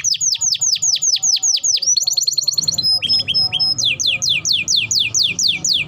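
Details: Canary song used to coax canaries into singing; repeated loud falling whistles, a rapid trill, thin pure tones and short chirps, then another series of swept whistles, with faint low noise beneath.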